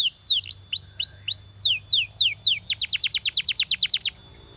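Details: A champion canary delivers looping rising-and-falling whistles, a few slower downward slurs, then a rapid rolling trill of sharp descending notes that stops abruptly.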